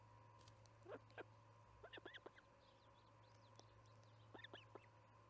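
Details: Osprey calling at the Charlo nest at evening feeding time, July 9, 2019, 6pm MDT. Scattered short, rising whistled chirps come in small clusters, with a steady electrical-sounding hum underneath.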